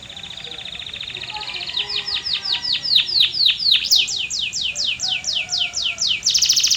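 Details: Singing canary: a fast stuttering high trill speeds into steady descending whistled sweeps, roughly four a second, closing with a harsh rapid rattle.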